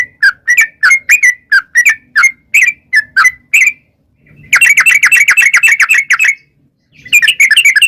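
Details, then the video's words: Long-run bulbul song meant to get wild yellow-vented bulbuls answering: a string of paired liquid chirps, then a fast two-second chattering trill, and another trill start. "trucukan gacor ROPEL PANJANG buat pancingan trucukan agar bunyi jadikan burung trucuk gacor NYAUT"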